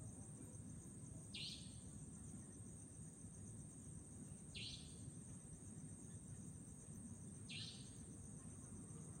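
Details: Savanna nightjar in Chunghsing New Village, Nantou, Taiwan, 11 April 2018, gives three short, harsh, buzzy notes about every three seconds over a low rumbling hum and a faint steady high whine.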